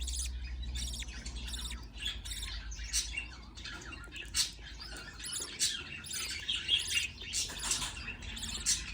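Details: A parent budgerigar feeding chicks, which keep up a dense stream of raspy, buzzy squeaks almost without pause, rising and falling in loudness, over a low mechanical hum.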